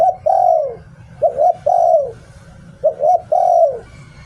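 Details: Spotted dove kept as a decoy bird, singing in the "Liu Tan" style. It gives three phrases, each a short double coo followed by a long, drawn-out, falling coo, with low hum in the background.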